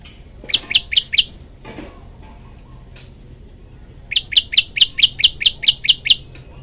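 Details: A male Olive-backed Tailorbird calling to a female sings loud, sharp, high notes repeated about four per second: a short burst of four, a pause, then a run of nine, over a quiet background hum that continues throughout.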